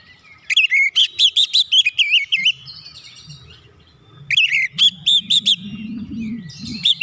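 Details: Provocative song of an Oriental magpie-robin to get other birds singing: a rapid, loud string of looping whistled notes, then a pause with low rumbling, then another bright whistled burst.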